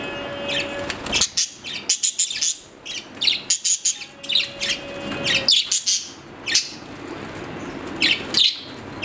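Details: A pet budgerigar gives quick, high, scratchy chirps and warbles in irregular bursts, with a faint steady low hum in the background.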